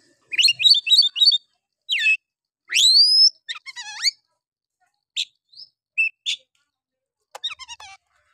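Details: Oriental magpie-robin, a constant singer in the rough 'nembak' style, used as a lure to make lazy males sing. Fast twittering, a loud rising whistle, a descending trill, then scattered sharp chips and a short rattle.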